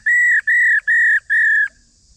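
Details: Female Chinese hwamei giving its call used to stir males into singing: four loud, steady whistled notes, each flat and slightly drooping at the end, about a third of a second long, evenly spaced, then silence.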